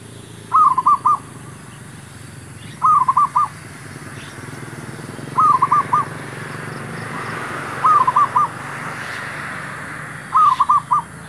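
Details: Male zebra dove calling as a lure for trapping wild birds. Five evenly spaced bursts of rapid bubbling coos, roughly every two and a half seconds, over a low steady rumble.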